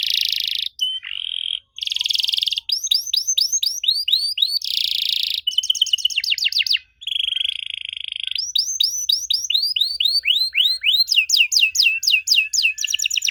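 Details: Canary singing an unusual song used as a lure to get young canaries to answer: high buzzy rolls alternate with fast runs of rising, curved whistled notes. Short pauses break the continuous bright song.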